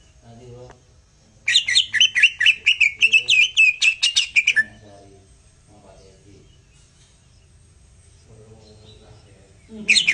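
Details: Greater green leafbird master song linked to jantrok: a burst of fast, buzzy chattering notes lasting about three seconds, then near quiet with faint low sounds and a brief high note at the end.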